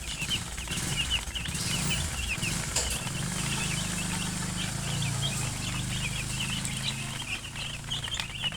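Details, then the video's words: Domestic chicken chicks peeping, with many short high chirps repeated rapidly and overlapping throughout, over a steady low rumble and occasional thuds in the background. "Murgi chicks Chirping sounds"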